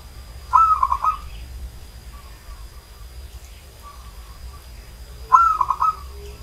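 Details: An aged zebra dove gives its coo twice, each a bright lead note and then a rapid rolling series of soft pulses lasting under a second, spaced roughly five seconds apart, with quiet distant bird notes between and a thin electrical whine.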